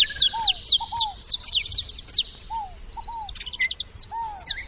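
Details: Saffron finches at a feeder give a quick series of loud, high, falling chirps, then quieter calls. A lower downslurred whistle sounds several times.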